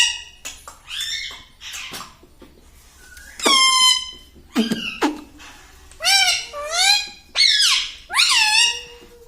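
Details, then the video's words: Pet parrot indoors saying "mummy" and "papa": a series of squeaky, strongly harmonic, speech-like syllables with bending, rising-then-falling pitch, given in short bursts with brief pauses in a small room. "talking mummy || papa bolta Mithu || bolta Mithu"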